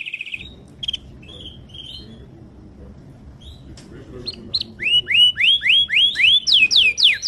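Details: Training song of a Timbrado canary: a few soft, scattered chirps and short trills over quiet at first, then a loud series of bright descending slurred whistles repeated about twice a second.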